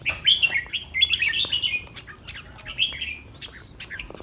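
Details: Caged red-whiskered bulbul before competing gives a fast, chattering sequence of slurred whistled notes packed tightly together, easing off toward the end with a few softer chirps.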